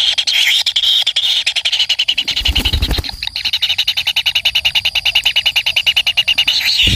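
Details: Kingfisher chick begging as its parent feeds it: rapid, high, scratchy notes repeated about two to three times a second, with a brief low thump and rustle near the middle.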